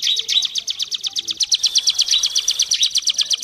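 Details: Prinia, local name ciblek gunung, pours out a rapid, steady stream of high chirps in its continuous ngebren singing, each note crisp and evenly spaced.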